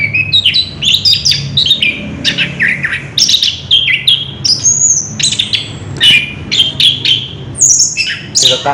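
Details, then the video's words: On 3 March 2016, an orange-headed thrush in a cage sings a wild rolling song, fast varied whistles, buzzy downslurs and chattering phrases in continuous loud bursts. "Burung Anis kembang ngerol edan luar biasa"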